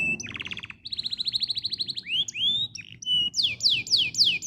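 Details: Canary song played to prompt canaries to sing: a short falling buzz, then a fast even trill of high notes, two rising whistles and a final series of loud downward-swooping notes.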